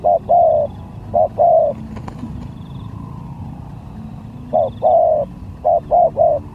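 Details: Contest lure spotted dove cooing in groups of short and drawn-out hollow notes, a pause with a clattering knock between phrases, faint high chirps from other birds.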